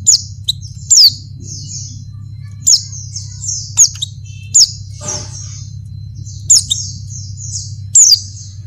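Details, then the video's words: Female Oriental white-eye in breeding condition calling a male, with about eight sharp high descending calls at irregular intervals, interspersed with soft high chattering phrases, and a steady low hum throughout. "suara pleci betina birahi manggil jantan"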